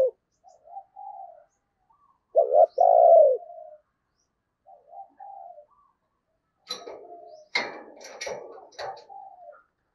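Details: Decoy spotted dove luring wild doves with soft coos, one loud double-and-long coo in the middle, and scattered clicks and rustling knocks near the end.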